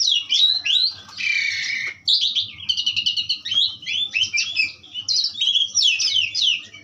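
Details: Asian pied starling, powerful song: sweeping whistles, a harsh buzzy rasp lasting almost a second, then fast rhythmic chattering and rising whistled notes.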